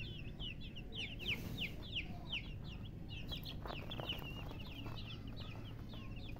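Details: Baby chickens chirping busily, about three peeps a second, each high and steeply falling, often overlapping from several chicks, over a low steady rumble.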